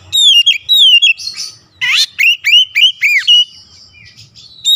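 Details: Oriental magpie-robin singing loudly to provoke a rival: falling whistled notes, a sudden rasping burst, then strongly arched upswept whistles repeated several times, with brief pauses.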